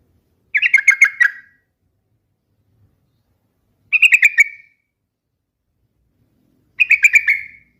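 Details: Three bubbling phrases of fast, liquid, slightly descending notes from a yellow-vented bulbul, spaced about three seconds apart, against silence.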